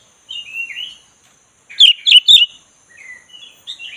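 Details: Black-breasted Oriental magpie-robin song used to coax a listless bird into singing: soft warbled phrases, then a burst of three loud, sharp whistled notes near the middle, followed by quieter chattering.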